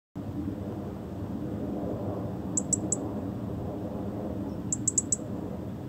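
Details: European robin (Erithacus rubecula) giving thin, very high chirps, three quick notes then four more, over a steady rushing background roar like wind or distant traffic.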